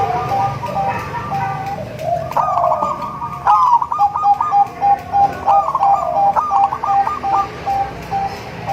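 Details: Local zebra dove crossed with Bangkok stock, singing melodiously to lure other zebra doves at home: a soft opening coo, then bouts of quick rolling notes, each ending in a string of short, even, mid-pitched coos, over low background hum.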